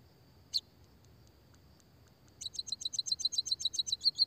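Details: Small finches known locally as pipit, emprit, peking or bondol, used as a lure and singing stimulus; a single sharp chirp, a pause, then a fast even string of high clipped chirps building in loudness, with a faint steady hiss.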